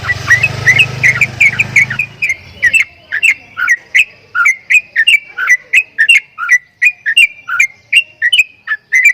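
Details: Javan myna, locally jalak kebo, producing strange sounds; a low rumbling noise opens, then fades as a steady stream of short, clicky whistled notes repeats nearly three times a second.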